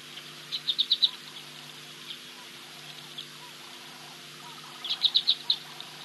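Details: A Gabar goshawk bathing at Ol Donyo on 18 June 2023 gives a high, thin piping series of about five quick notes in half a second, twice, four seconds apart, over a faint steady hum.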